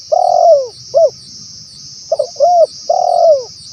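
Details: Male spotted dove calling, used to lure wild doves in Indonesia: a stuttered short note, a rounded coo, then a long drawn coo sliding downward, repeated twice, over a steady high insect drone.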